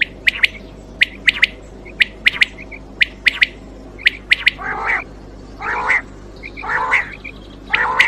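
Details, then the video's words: Quail voice recorded for hunting: crisp, high, double-clicked chirps repeated about once a second, followed by rougher, buzzy squawks. A steady low hum runs underneath. "Quail Voice Sounds For Hunting Raat Ki liye Saaf Awazay Quail sounds Batair Ki Awaz"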